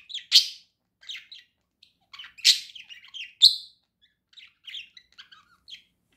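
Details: Pet budgerigar singing: a lively run of short chirps and squeaky warbled notes, with three loud sharp chirps standing out among softer twittering phrases and brief pauses between bursts.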